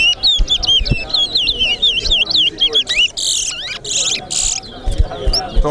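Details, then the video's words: At a Corriverton singing competition, a towa towa pours out quick clear whistled slurs, rising and falling, then bursts of harsher rasping notes, with background voices and thumps. "CORRIVERTON TOWA TOWA BIRD SINGING COMPETITION"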